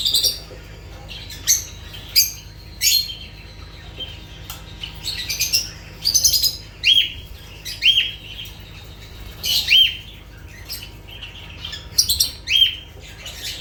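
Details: Lovebirds calling: sharp, high chirps and squeaky notes in irregular bursts, some short rising-falling whistles, spaced a second or so apart with quiet gaps between.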